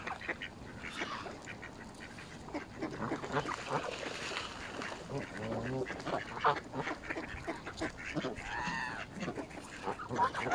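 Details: Mallards in a feeding frenzy alongside Canada geese at Smith's Pool, Fenton, Stoke on Trent, UK, on 21 November 2021, phone-recorded; busy chorus of hoarse nasal quacks, one drawn-out harmonic call near the end, with splashing throughout.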